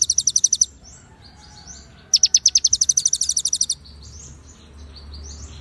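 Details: Clear, paused recording of a white-rumped shama in konin style, singing cililin and ciblek fill-ins: a brief high trill, a lull with soft warbles, then a longer rapid series of bright chips fading into quieter twittering.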